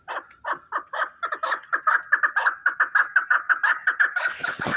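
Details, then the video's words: Chukar partridge kept for fighting in Shahritus, Tajikistan, calling a steady, accelerating train of throaty chuck-chuck notes, about two per second, growing louder and denser, ending in a rough rattle. "Кабки Шаҳритус ҷангӣ"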